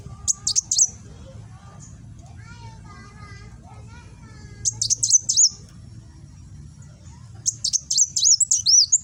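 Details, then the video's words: Kolibri wulung sunbird recorded by phone in Gresik, East Java, giving nembak song for tutoring cage birds: three bursts of high rapid zipping chirps and slurred whistles separated by quieter pauses with faint lower tonal notes from other birds. "Burung Kolibri Wulung nembak"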